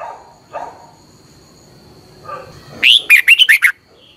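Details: Caged red-whiskered bulbul from Thailand in a morning training recording, giving one brisk phrase of five or six loud, warbling whistled notes after faint low background sounds.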